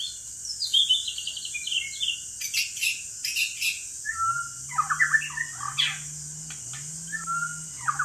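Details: White-rumped shama in a forest during a trapping outing in Indonesia: varied whistled and chattering phrases, some falling, some harsh, over a steady insect drone, with a low hum in the second half.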